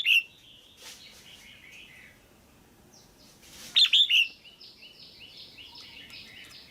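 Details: Female red-whiskered bulbul calling to stimulate a male or for pairing: one sharp chirp, then a quick burst of three slurred notes, among steady soft warbling and chatter from other birds.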